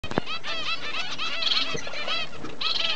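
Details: Double-barred finch adults and chicks keep up a dense chatter of short, nasal, arched notes that overlap almost without pause.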